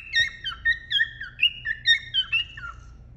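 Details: Indoors in the breeding box, a male cockatiel whistles to the female to prompt mating: rhythmic, slurred whistled notes about two per second, each sliding downward, forming a flowing warbled phrase.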